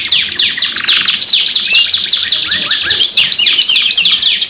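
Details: Caged canary singing a long, lively lure song from Indonesia, in a two-in-one recording: a continuous, dense stream of rapid high chirps, trills and sweeping whistled notes with no pauses, loud and steady throughout, with no other sounds.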